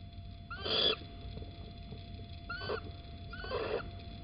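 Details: Little owl, a male bringing an earthworm, at Holten on 9 April 2020 around 07:10 in the morning; three short hoarse, wheezy calls spaced about one and a half seconds apart over steady low background hum.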